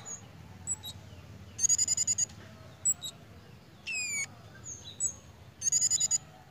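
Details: Pied fantail in breeding condition: two rapid chattering bursts of repeated high chips, a steeply falling whistle between them, and thin short squeaks.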